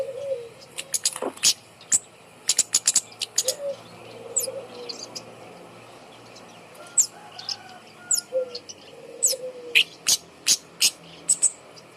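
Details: Bird singing from a high perch, used to prompt silent birds to sing: sharp, very high clicking chips in irregular bursts, with soft low whistled notes drifting between them.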